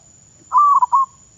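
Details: A single cooing phrase from a zebra dove decoy bird in training in Thailand: a sustained level note breaking into two quick rounded notes, clear and loud against quiet low background hum.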